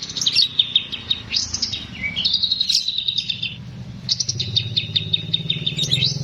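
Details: Sooty-headed bulbul song for bird training: high, rapid chattering trills and buzzy repeated notes in bursts, with a steady low hum underneath.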